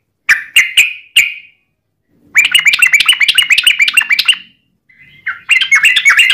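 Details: Sooty-headed bulbul song used as a lure to prompt other bulbuls to answer: three short separate notes, then a long bubbling run of quick chattering phrases, a pause, and another lively burst.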